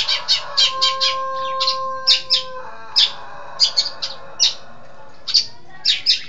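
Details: Long-tailed shrike from East Java singing: rapid series of short, harsh, buzzy chattering bursts repeated irregularly, with a steady low whistled tone held for about two seconds early on.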